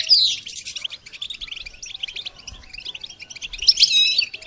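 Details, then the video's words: A goldfinch sings for songbird training, a rapid, tinkling chatter of high notes that eases into softer twittering before a bright, emphatic burst near the end. "integrated stimulation suitable for all songbirds for goldfinches"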